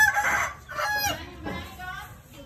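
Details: Morning chicken sound of short harmonic crow-like phrases, two or three broken bursts with a rising then falling tone. Low rumbling noise continues beneath.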